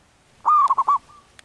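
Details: A single manggung phrase from a wild local zebra dove in breeding condition: a bright sustained coo followed by three short, evenly spaced rolling notes and a faint trailing hum.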